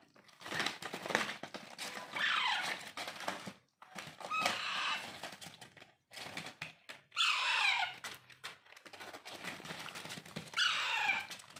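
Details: Hand-tamed Alexandrine parakeet chicks (raw or pahadi parrot) give four harsh, descending, raspy begging calls roughly every three seconds. Crinkling and scraping from the hand-feeding are mixed in.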